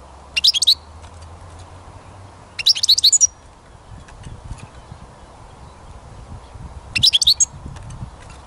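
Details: Outdoor European goldfinch song during songbird trapping: three short bursts of bright, rapid twittering notes spaced a few seconds apart, with a faint low hum underneath.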